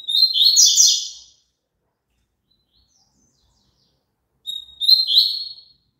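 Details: A Double-collared Seedeater song, played so pet birds sing along, gives two short, fast phrases of twittering, buzzy high notes about four seconds apart, with silence between.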